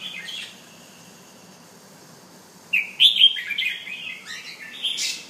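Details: Bulbul, a Penang bird called Jumbul, kept at home and displaying with a clear, tone-by-tone song; quiet at first, then a burst of loud whistled notes and warbling phrases after about three seconds.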